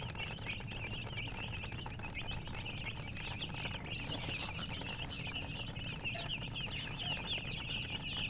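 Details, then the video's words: Colored domestic chicks chirping together: a dense, continuous chorus of high, quick overlapping peeps, each a short rising-falling chirp, over a steady low background hum. "silly chicken chirping sounds with murgi hen color chicken"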